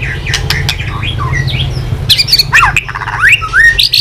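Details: Fired-up white-rumped shama tail-flicking: quieter mixed whistles at first, then loud abrupt clicks and short rising whistled notes.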